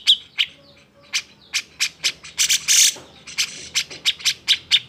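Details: Cucak jenggot singing an emotional, agitated song to provoke reluctant birds into singing: a steady series of sharp chips roughly every third of a second with a harsh burst in the middle.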